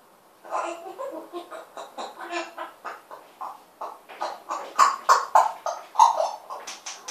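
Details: African grey parrot talking indoors: a rapid, rhythmic stream of babbled, speech-like syllables, about three per second, growing louder and more clipped toward the end.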